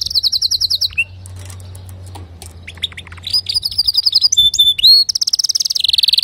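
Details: A male canary sings a tutoring song for young canaries. It runs fast, repeated high trills, then a brief quiet gap, then rising whistled notes and buzzy rolls. The song ends in a rapid pulsing trill.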